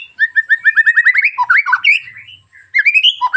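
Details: Sharp, rough white-rumped shama song used to make other shamas join in: a quick accelerating series of rising chirped notes, tumbling into jumbled warbles, a brief pause, then more upward-stepping phrases.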